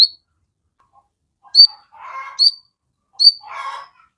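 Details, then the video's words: Crested jay calls used as a lure to provoke birds into answering: a sharp, piercing high note, each followed by a lower raspy, chattering burst, repeated three times in about four seconds on a quiet background. "Pancingan sogon JADIKAN burung cepat bunyi langsung nyaut ngamuk"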